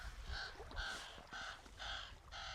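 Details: Crows, a father and mother, feeding their three young in the nest, recorded live outdoors: a run of five harsh, nasal calls, each roughly a third of a second long and spaced about half a second apart, over faint background noise.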